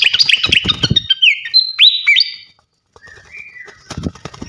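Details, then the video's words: Champion fantail flycatcher's loud song for training birds: quick chattering notes, then clear whistles sliding up and down, a short pause, and a lower drawn-out whistle. "gacoan ngeplong masteran asah mental burung jawara khas srikatan kipas"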